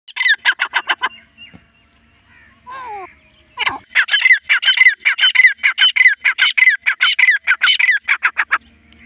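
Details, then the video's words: Grey francolin, a local breed, calling with a female: loud harsh rhythmic notes repeated about every half second in long series, with a brief pause and a falling squawk midway. "teetar ki boli"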